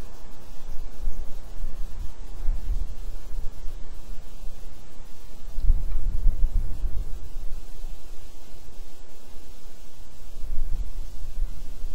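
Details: Only a low, steady rumble of wind and rustling is heard, with no animal calls.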